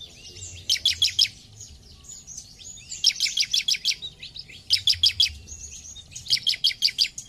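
A bar-winged prinia sings in quick bursts of about five sharp, high chirps, each burst coming roughly every second and a half over a faint low hum.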